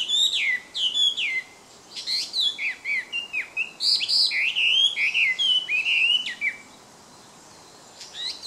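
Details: Hwamei (melodious laughingthrush) singing in the wild: an energetic stream of varied whistled phrases, sweeping trills and slurred notes for about six seconds, then a brief quiet pause and a soft restart.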